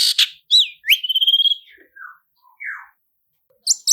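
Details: Long-tailed shrike lure song in roll speed and roll tembak styles: harsh opening notes, a looping whistle and a long trilled whistle, then soft scattered downslurred notes and a short pause before harsh notes resume.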